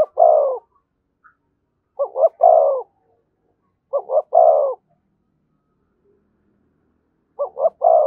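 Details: Spotted dove near a decoy bird in thúc gù cooing: the end of one phrase, two full phrases of two short coos and a long coo, then after a pause the start of another.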